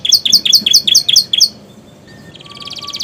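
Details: Canary mimicking bar-winged prinia and sooty-headed tit: six sharp, bright high notes dropping in pitch, evenly spaced, then a pause and a soft, quickening buzzy trill rising in volume.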